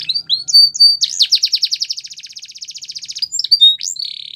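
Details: Belgian canary song: opening whistled slurs, then a long rapid trill of sweeping notes repeated about eight times per second, closing with a few clear whistled phrases; a faint low hum underneath.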